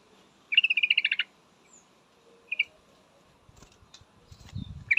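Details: Female yellow-vented bulbul calling a male: one rapid chattering trill of bright notes, a brief double chirp, then rustling and low thumping noise.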